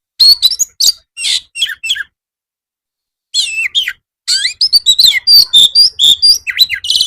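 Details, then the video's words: Oriental magpie-robin (kacer) in continuous 'gacor' singing, used as afternoon master song to prompt birds to answer. Two bursts of sweet whistles, trills and downslurred notes, with a quiet pause before a busier run of varied phrases. "masteran kacer supaya mau nyaut bunyi gacor cocok buat terapi sore hari"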